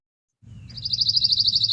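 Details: A Pine Warbler's even, musical trill of distinctly bird-like quick high notes, about nine a second, unlike dry insect-like trills, over a low rumble of background noise.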